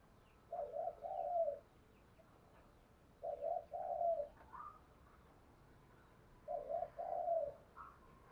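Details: Spotted dove cooing outdoors in Vietnam to stimulate other doves to call; a two-hoot-and-long-coo phrase repeats about every three seconds, with thin chirps of other birds in the background.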